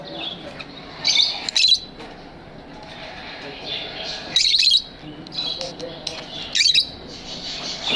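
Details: Aviary lovebirds chirp in three sharp, high clusters, each lasting under a second, separated by quieter stretches with a faint, steady hiss.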